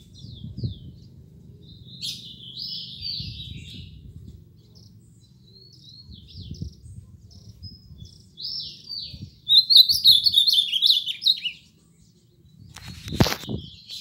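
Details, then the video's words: Ultramarine grosbeak: soft, distant-sounding warbled phrases early on, then a loud, bright run of rapid high whistled notes for about two seconds, followed near the end by a single sharp knock; low background rumble throughout. "Azulão top"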